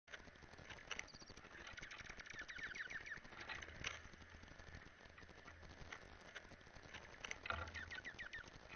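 Several Dark-eyed Juncos give quick runs of high, dry twittering chips, with bursts near the start and end, over a steady low rumble and hiss.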